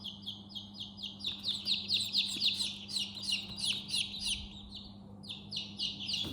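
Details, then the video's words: Baby chicks at their coop chirping: a dense stream of high, thin peeping notes, each dropping slightly in pitch, several birds overlapping at a rapid pace, a steady low electrical hum beneath. ""Chicks Chirping" sound"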